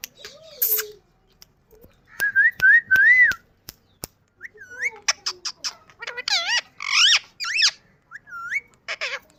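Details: Indian ring-necked parrot talking face to face, speaking different words: a low drawn-out note, then clear rising-falling whistles, followed by bursts of harsh, warbling, word-like squawks and short whistled phrases.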